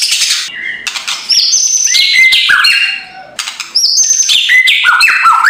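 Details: White-rumped shama in full kretekan song, a morning lure meant to provoke a lazy bird into singing, from Indonesia: loud, busy run of sharp whistled notes jumping between pitches, mixed with dry crackling bursts and brief pauses.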